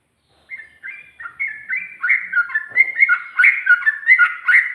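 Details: Sooty-headed bulbul, ngikluk-style ropel singing: starts softly after a short silence, then builds into loud, fluty, rapidly repeated warbled notes.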